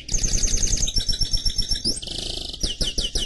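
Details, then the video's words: Canary and goldfinch mule song: rapid repeated chirping notes, then a sustained buzzy trill and quick descending whistled sweeps, over steady low background hum. "Chant Mulet Canari X Chardonneret"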